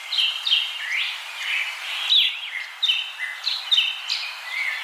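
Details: Common myna in varied vocal bursts: short gurgling and rasping notes with sharp upward and downward slurs, repeated irregularly about every second or two, with faint hiss outdoors.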